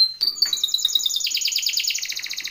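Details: Timbrado canary training song: a brief high note, then a fast trill of clear, slightly descending notes that speeds into a dense, ringing rattle.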